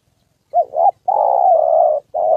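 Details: Spotted dove decoy, Gia Lai, Vietnam, 2 September holiday, wild male and female present: two quick soft notes, then a long sustained hollow coo and the start of another.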